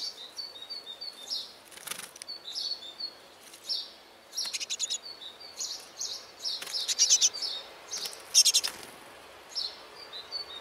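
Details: Nest of great tits with ten chicks in a trash can: steady thin high chirping with repeated whistled notes, broken by loud harsh bursts in tight groups of four or five, close-up.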